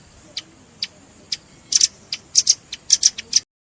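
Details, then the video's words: Velvet-fronted nuthatch in a trapping lure recording mixed with juvenile calls: scattered high, thin chips, at first widely spaced, then bunched into quicker doubled and tripled notes, over a soft hiss. "SUARA PIKAT BURUNG RAMBATAN"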